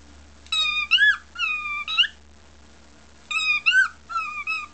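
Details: Indoor pet bird mimicking speech with hello pretty birdie: two pairs of whistled, voice-like syllables with upward-bending pitch, separated by a pause of about two seconds, over a quiet room hum.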